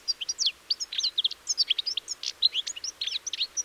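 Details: A European goldfinch, recorded 04.04.2018, sings a fast, liquid twitter of bright tinkling notes and quick slurred chirps, high-pitched and almost without pause, over a quiet background.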